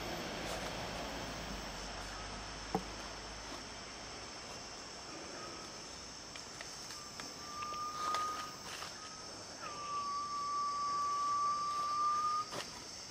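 A garnet pitta gives long, pure, drawn-out whistles that swell slightly upward, the last lasting nearly three seconds, over a steady hum of forest insects.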